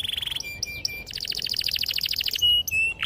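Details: Canary singing a clear, sharp rolling song used to lure young canaries into song: a quick trill, short whistled tones, then a long pulsed roll and level whistled notes.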